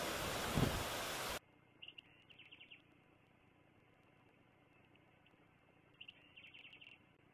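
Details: Bald eagles at Fraser Point on 18 October 2022, afternoon, heard from a live nest cam: faint high chittering bursts of rapid repeated notes, two series a few seconds apart, after a loud burst of noise at the start.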